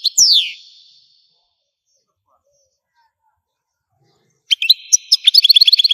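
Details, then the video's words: Algerian goldfinch song: a drawn-out, descending slurred note fades out, then about three seconds of silence, then a sudden burst of fast, high twittering notes. "تغريد الحسون قمة الابداع ! حسون جزائري"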